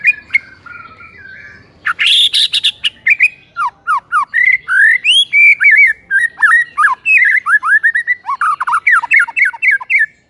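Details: White-rumped shama in the morning giving a long, varied song: fluty whistles, descending slurred notes and rapid chips strung together in a fast, almost continuous stream, roughly three notes per second.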